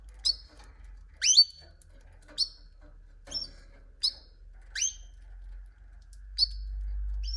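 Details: Canary repeating single high, downward-sweeping chirps about once a second over a low steady hum.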